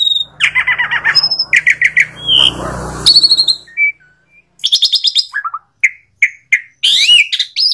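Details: Jalak suren, the Asian pied starling, delivers a jumbled song of chattering phrases, high squeaky whistles and quick descending slurs, broken by a brief silent gap midway.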